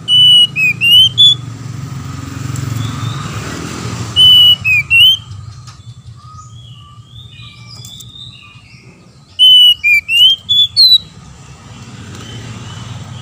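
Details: Male and female Oriental magpie-robins singing back and forth: three groups of four or five pure whistled notes, dipping and rising, spaced several seconds apart, with softer chirps between and a steady low background rumble.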